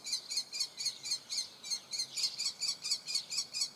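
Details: Young common kestrel calling for food with a steady run of shrill, high notes about twice per second, each slightly trembling, over a soft hiss of background noise.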